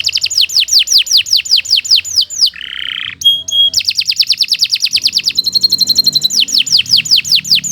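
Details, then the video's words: Domestic canary singing a long continuous song meant for tutoring other birds: fast series of sharply descending high notes, a brief buzzy phrase, metallic clicks, then more rapid repeated swoops and a sustained trill. "Kicau Burung Kenari II GACOR PANJANG Cocok untuk Masteran"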